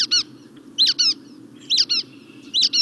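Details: Playback of Brown-headed Nuthatches, whose squeaks resemble rubber duckies, used to draw birds to mist nets for a Missouri reintroduction; paired nasal toy-like squeaks repeated roughly every 0.9 seconds, four pairs, with a steady low hum behind.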